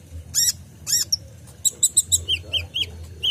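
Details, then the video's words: Kolibri ninja sunbird song for training caged songbirds: two loud, sweeping chirps, then a quick string of high clipped notes and slurred, downward-bending whistles, over a faint low hum. "PANCINGAN KOLIBRI NINJA (Konin) FULL ISIAN tembakan mantap"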